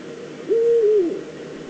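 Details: Probably female Eurasian eagle-owl at the nest scrape, Eifel, September 2014, giving one sustained, steady-pitched hoot that sags slightly before fading, over faint background hiss.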